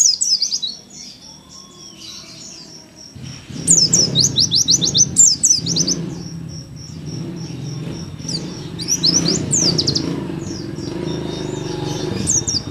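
Oriental white-eye song: rapid, high, thin twittering phrases of sharp chirps in bursts, over a low background hum and murmur.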